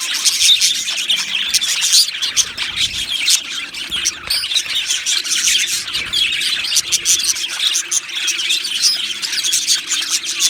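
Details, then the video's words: Australian budgie colony in an aviary: a lively, unbroken chorus of high chirps, twitters and warbles from numerous birds, with brief louder bursts and a few squeaky notes above the background. "Beautiful Budgies Singing and Chirping Sounds"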